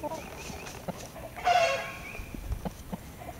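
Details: Red Blue Wyandotte chickens from a 2020 flock: soft scattered clucks broken by one sudden loud squawk, then quieter murmurs and faint high chirps in the background.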